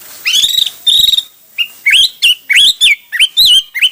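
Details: Loud hwamei phrase: two long buzzy whistles, then a steady series of short rising upslurred notes repeated about twice per second.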